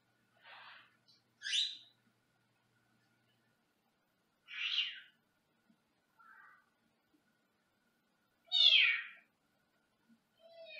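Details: Senegal parrot, recorded on a Saturday while sitting in a small cage in another room, giving scattered short squawks and squeaky chirps a few seconds apart, some rasping and some rising, in a quiet room.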